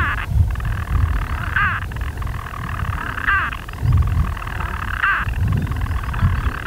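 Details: European storm petrel purring from its burrow in daylight on Skokholm, Pembrokeshire, 5 June 2013; a long rolling churr punctuated by three clear hiccup notes spaced nearly two seconds apart, with gusty wind below.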